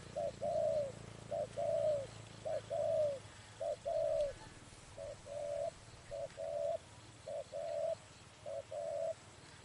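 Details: Spotted dove cooing at a trapping site: a repeated series of short-then-long mellow hoots, steady about once a second, with a low droning hum during the first few seconds.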